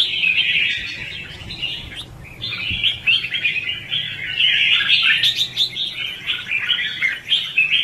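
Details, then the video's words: Red-whiskered bulbul in competitive 'hót ché' singing, used as a decoy to trap and train bulbuls: a dense, continuous chatter of quick warbled notes, with a brief lull near two seconds and a low hum beneath. "Chào mào Luyện giọng | Hót Ché - Xòe hay Đỉnh cao từ trước tới nay , Bẫy đấu Chim Chào mào"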